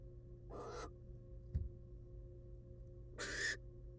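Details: Two noisy, rasping screeches from a wild barn owl female who has returned to her eggs in a research nest box after eating a whole rat. A small thump falls between them, over a constant hum.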